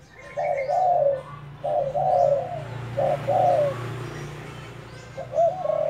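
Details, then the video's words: Decoy spotted dove in training, giving mid-pitched cooing phrases in short bursts of two to three notes separated by pauses, with a steady low hum underneath. "Dợt cu gáy mồi"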